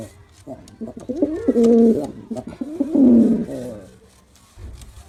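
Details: A male pigeon's performance, with two strong, deep coo phrases in the middle, the first steady and droning, the second rolling and bubbling, fading to quiet at the end.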